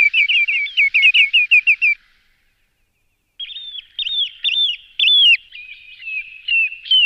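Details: A common redshank, used as a decoy call, gives a fast run of about ten clear piping notes, pauses, then gives longer ringing whistles that rise and fall.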